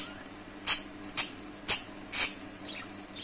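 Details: Budgerigars giving short, sharp, high squeaky chirps, four loud ones about half a second apart, then a fainter one, over low background hum.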